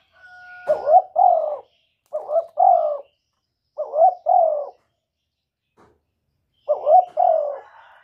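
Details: Male spotted dove cooing to stimulate a female to lay: four low, mellow phrases, each a short lead note then two rolling coos, repeated roughly every two seconds against a quiet background.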